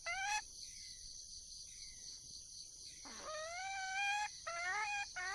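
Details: A wild junglefowl hen calling for a male: one brief note, a long lull with faint distant calls, then a dipping note rising into a sustained nasal call and two short clucks, over a shrill constant drone.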